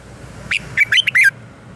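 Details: Red-whiskered bulbul singing its morning song for voice training: one quick phrase of four or five warbled, slurred notes rising and falling, over a low steady background hum.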